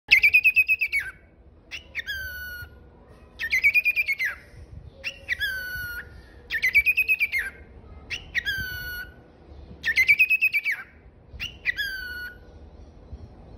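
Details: A pet cockatiel playing peekaboo gives loud, ringing whistled calls in pairs, each rising then falling, repeated every second or so.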